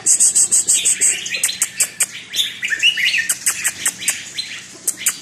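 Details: A high buzzing trill opens the recording, then a caged red-whiskered bulbul delivers quick, liquid, whistled phrases mixed with rapid sharp chirps.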